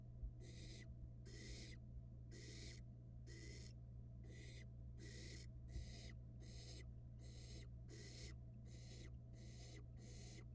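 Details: Barn owl nestling on a Florida camera swallowing a rat: a regular string of about a dozen scratchy, hissing bursts, each under a second, evenly spaced, with a continuous low hum behind.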